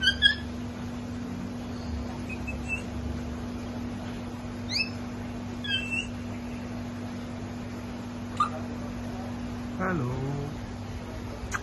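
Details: African grey parrot giving a scattered series of short whistles and sharp clicks, some rising, some falling, closing with a long downward whistled sweep; a steady low hum runs underneath.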